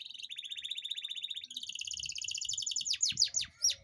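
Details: Canary performing a long rolling song played to stimulate lazy canaries: a steady, rapid pulsing trill shifting upward to a higher, brighter trill, then several sharp down-slurred whistles, with faint low thumps behind.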